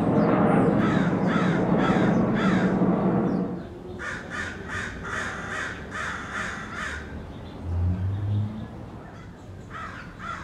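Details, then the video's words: Angry crows in a neighborhood: a burst of about eight harsh, rapid caws in quick succession, following a loud low rumble of traffic noise. Quieter background hum and a few faint caws come afterwards. "Angry Crows in the neighborhood"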